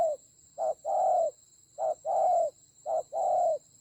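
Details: Decoy spotted dove during a fierce fight in Vietnam's Central Highlands mountain forest, 19 October 2020, gives three paired coos, each a short note followed by a longer hoarse coo, about once per second, with a steady high hum behind.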